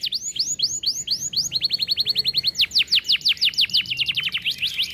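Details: Canary singing nonstop in 'cengkok mewah' style: repeated curved whistles, a fast pulsed trill, then loud steep descending notes in quick succession, full and bright throughout.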